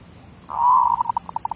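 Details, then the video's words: Zebra dove (merbuk) from 2019 singing in a voice-B derak labuh style: a sustained low coo breaks into a run of short, evenly spaced beats that fade out. "Suara B Derak Labuh"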